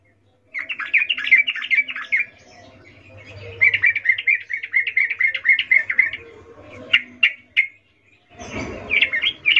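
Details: Sooty-headed bulbul female calling a male, ngecuplik mating call: warbled chattering notes, then a long quick series of clipped chirps, a few isolated sharp notes, and a final warbling burst over low background rumble.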